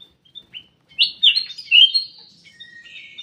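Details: Aviary-kept ruby-throated bulbul: a few soft chips, then a rich, rapid phrase of clear slurred whistles rising and falling, trailing off into quieter twittering.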